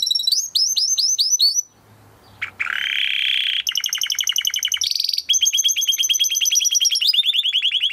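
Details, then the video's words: Canary of the Timbrado breed singing a training song that shifts through varied tours: repeated hooked notes, a brief pause, then a rising rasp, fast pulsing rolls, a clear whistled note and a long trill of quick repeated syllables. "Υour canary will sing UNSTOPPABLY"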